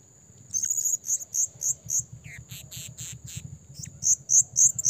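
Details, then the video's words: Blue-crowned hanging parrot calls used as a lure for trapping: shrill, very high, sharp chirps repeated in quick runs of about four per second, over a steady high whine. "SUARA SERINDIT PIKAT GACOR"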